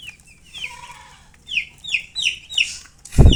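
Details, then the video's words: Chicks call with loud, high, descending peeps in a quick series, ending in a heavy thud or bump. "MURGI Baby "Chicks Chirping" Sound"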